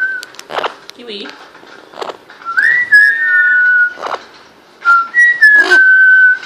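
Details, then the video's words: Pet parrot's first whistles caught on record, indoors in a small room: clear whistled notes that swoop upward then hold level, repeated in short phrases, with taps and knocks between and a person saying "wow" afterwards. "First time Kiwi whistles caught on video!"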